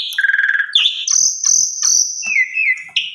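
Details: Asian pied starling lure song for tutoring starlings: a buzzy rattling phrase, then long steady high whistles, a wavering lower whistle and soft clicks between.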